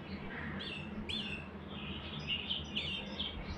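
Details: Canary with scattered bright chirps and short whistled slurs at mid-high pitch, irregularly spaced, over a low steady hum.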